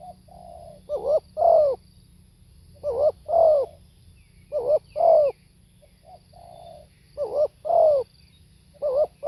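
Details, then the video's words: Spotted dove giving its hoarse, rhythmic coo: a low hum leads into a quick two-part stutter and a louder falling coo, the phrase repeated five times in under ten seconds, little else audible. "เสียงนกเขาใหญ่ สด | suara tekukur"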